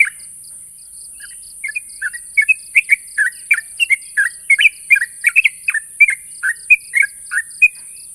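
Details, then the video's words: Rival-challenging call of a sooty-headed bulbul: after a quiet start, a stream of cheerful, slurred whistled notes builds up and runs on, backed by a steady high hiss and a faint repeating beep. "suara burung trucuk memanggil lawan"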